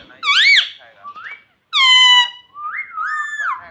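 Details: Indoors, a pet ring-necked parrot says "mummy" with two loud arched syllables, each followed by softer whistled rising and flat tones.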